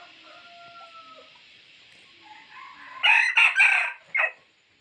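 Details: A rooster's crow used as bait to call birds out of the forest: faint whistled tones and hiss, then a loud grating crow in three rough pulses ending with a brief lower note.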